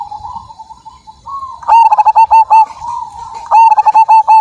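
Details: Zebra dove of the Majapahit strain, described as having a big voice, singing loudly: a soft low wavering coo, then a burst of rapid, clipped, pulsed coos at mid-low pitch, repeated twice, in a quiet setting.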